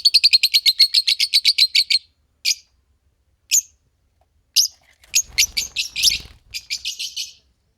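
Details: A green Fischer's lovebird pair: a fast even string of about fifteen piercing chirps, a few isolated squeaks, then a noisier scratchy burst of chirps with some low rumbling underneath.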